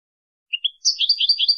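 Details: Goldfinch singing in a teaching recording: two soft whistled notes, then a bright warbling phrase of rising and falling twitters, ending abruptly with a click.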